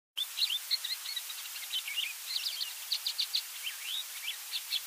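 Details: A Yellow-bellied Eremomela sings a fast, varied run of high chirps, trills and slurred whistles, mimicking species such as African Quailfinch, Crowned Lapwing, Pied Starling, Cape Sparrow, Karoo Scrub-robin and others.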